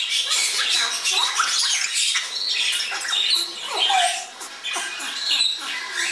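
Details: Young Congo and Timneh African greys fledging indoors north of Dallas, Texas, producing dense harsh squawking and chattering with a few brief whistled notes.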